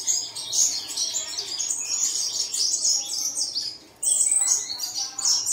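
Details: Bird chorus played at daybreak to prompt caged birds to sing. Busy, high, scratchy chirping fills the whole stretch, broken by a brief pause before resuming.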